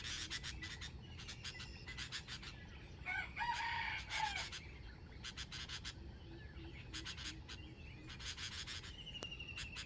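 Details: Wild chicken crowing, recorded 05/07/2025 in a trapping setting: one harmonic crow of about a second midway, set among steady insect pulsing and other chirping birds throughout.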